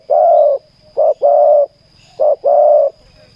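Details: Spotted dove cooing at a ground decoy setup, a long coo followed by two phrases of a short clipped coo and a longer mellow coo, with a faint low hum.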